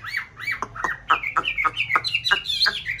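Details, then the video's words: Breeding-season white Chinese hwamei in a mountain-town conservation aviary: two looping whistles, then a fast series of about ten sharp downslurred notes, each ending in a clear whistle. "họa mi bạch hót hay múa đẹp vào mùa xoáy tổ"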